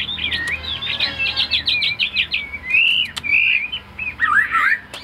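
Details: Caged male Chinese hwamei pouring out a fast, rich stream of varied warbled and whistled notes, with a few sharp clicks and mimicry-like twists.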